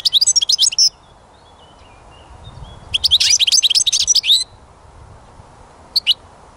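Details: European goldfinch song recorded during songbird catching: high, tinkling twittered bursts of quick varied notes, one short phrase then a longer jumbled run, ending with a single sharp note after a pause.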